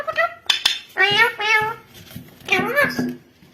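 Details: Yellow ringneck parrot talking during a talking competition. It utters short mimicked speech phrases with bright, stacked harmonic syllables that rise and fall, separated by brief pauses. Sharp clicks can be heard in a small indoor room.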